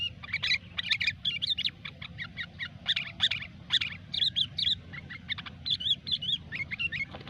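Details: Sooty-headed bulbul singing gecor-style lure song: dense, busy chatter of short bright notes and quick slurred phrases running almost without a break, over a steady low rumbling background.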